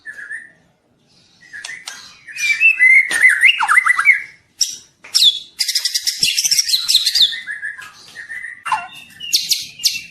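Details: Young white-rumped shama in full varied song: rich whistled phrases mixed with harsh chattering bursts and high sharp notes, with brief pauses between phrases.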